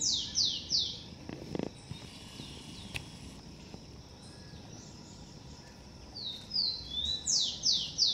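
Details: At a garden nest, a blond-crested woodpecker calls three loud downslurred notes in quick succession. After a quiet gap with soft background noise, a new series begins with thin falling notes and builds into strong descending calls.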